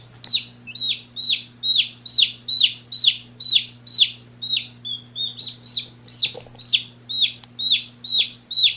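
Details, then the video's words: One-day-old chicken chicks peep steadily, each high note sliding down, about two per second, over a faint hum. "One Day Old Baby Chicks Chirping Sounds"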